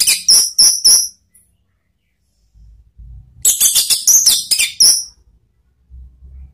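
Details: Orange-headed thrush lure song for training cage birds, ngeplong and ngeriwik styles. A short burst of sharp whistled notes, then a longer run of quick, varied, high twittering, with faint low rumbling in the pauses.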